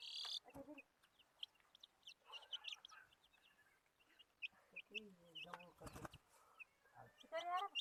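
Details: Desi hen gives short, irregular clucks and squawks, rising and falling in quick bursts, with other small chirps and a few distant voices around her.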